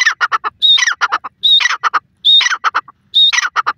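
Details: A grey francolin (dakhni teetar), possibly a female, calling in green grass gives loud, harsh phrases, each opening with a thin whistle followed by rapid scratchy notes, repeated about once a second.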